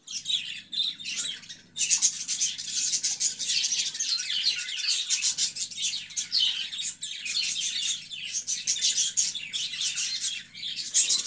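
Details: Budgerigars in a long stretch of busy chattering, short high chirps and raspy squeaks repeated rapidly, briefly pausing near the start before the flock's warble builds and continues.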